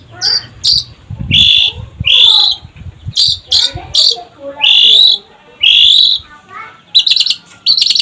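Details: Long-tailed shrike in full lively song. Sustained high whistled notes alternate with scratchy chips and a low rumble, ending in a rapid buzzy rattle.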